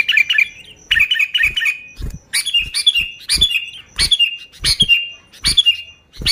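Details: Sooty-headed bulbul, an active, vocal bird, singing without mixed-in songs of other birds, used to lure bulbuls: bright chirping phrases in quick bursts, each with a sharp click, repeated roughly every half second.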